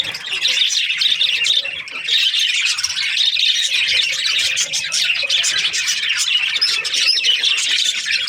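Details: Budgies keep up an unbroken, busy warble of high chirps and squeaky notes, layered and overlapping at a steady loudness throughout.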